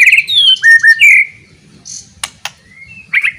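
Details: Loud white-rumped shama song used to goad other shamas into fighting: bright descending whistles and slurred phrases, a short buzzy note, two sharp clicks, then a closing whistled flourish.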